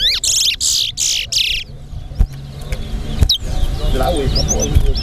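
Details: Chestnut-bellied seed finch competing in a towa towa whistling contest in Linden, Guyana: four loud, harsh buzzy strokes in quick succession, then people talking and counting with faint chirps behind.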